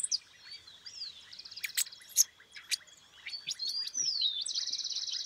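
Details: White goldfinch in song: thin sliding whistles and short buzzy trills mixed with several sharp clicks, ending in a sustained rattling trill.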